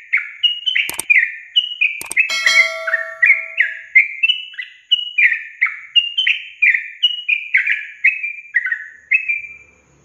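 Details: Yellow-vented bulbul song used as a lure to prompt quiet young caged birds to sing: a long run of short, bright whistled phrases, each sliding downward, repeated about twice a second, with two sharp clicks early on.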